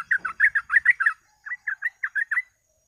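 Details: Yellow-vented bulbul, known as trucuk, giving a lure song for bird catching. A quick burst of liquid, warbled notes is followed by a slower series of seven separate, slightly rising notes.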